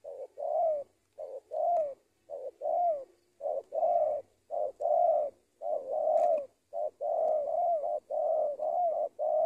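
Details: Spotted dove, a decoy bird in training in Indonesia, cooing steadily: a short note followed by a longer, mellow, slightly wavering coo, the pair repeated about once a second with brief gaps between phrases.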